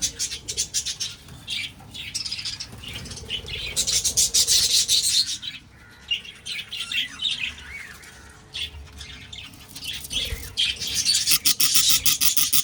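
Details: Breeding budgies chatter almost nonstop, with dense runs of rapid high chirps and scratchy warbling that swell into loud bursts in the middle and at the end, over a low steady hum.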